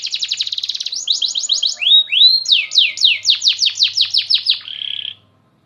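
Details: Canary song opening with a rapid trill, then sweeping arched notes and a long series of fast downward-slurred whistled phrases, ending in a short buzzy roll before silence.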